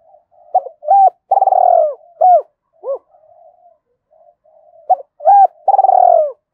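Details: Spotted dove used as a decoy, cooing to provoke wild doves and draw them in to fight. Short hooked coos lead into a long, rolling, throaty purr. The phrase is given twice with soft murmurs between, and there is no other sound.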